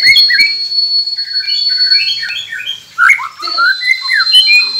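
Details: A white-rumped shama's varied song, used to get silent captive birds singing: a sustained high whistle held over rapid chattering and slurred warbled notes, with a brief pause midway.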